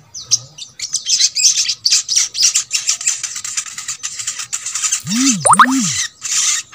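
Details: Crescent-chested babbler song, a recording played to caged birds of its kind to coax them into singing: a dense run of high, rapid chirps and twitters, with a pair of looping lower sweeps near the end.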